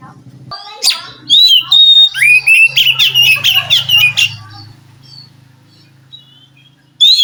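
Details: White-rumped shama from the wild forest, singing to stir a captive bird reluctant to sing; a loud run of whistles and rapid harsh chattering notes over a low hum, then quiet, with a final whistled burst.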